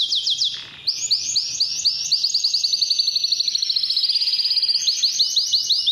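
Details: Canary, said to be Belgian, singing for courtship and as a lure for teaching other canaries; opening looped notes, a short gap, then a long run of fast high trills changing pitch and tempo several times.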